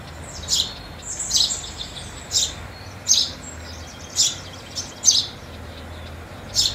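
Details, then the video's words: House sparrows calling during feeding in New Year 2022, a series of sharp high chirps at irregular intervals, some doubled, against a low background hum. "House Sparrow Sound in 2022"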